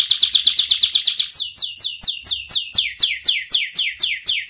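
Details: Canary lure song for young and lazy canaries, sung by a young sharp-voiced bird: a quick run of high notes followed by a steady series of descending slurred whistles, roughly three per second.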